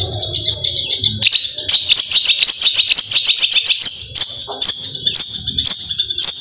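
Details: Long-tailed shrike 'gacor tembakan' song for stirring reluctant shrikes: after a quieter thin-whistled opening, a fast burst of rhythmic high chattering begins, followed by separate loud rasping notes roughly every half second.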